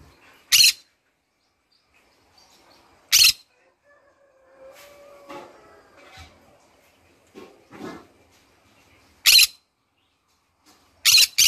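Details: Green-cheeked conure kept as a pet, calling in the morning: loud harsh screeches every two to six seconds, the last a quick pair, with soft warbling chatter and faint murmurs filling the gaps.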